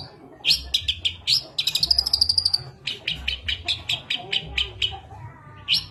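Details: Long-tailed shrike lure song stuffed with borrowed fill-in material like sparrow fighting calls; clipped high chips repeated about three times a second, a thin rapid trill in the middle, faint low hum behind.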